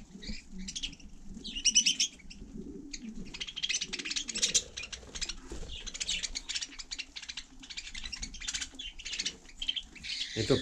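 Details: Budgerigar on snow in frost, warbling continuously with dense, rapid, scratchy chatter and clicks, varied in pitch throughout.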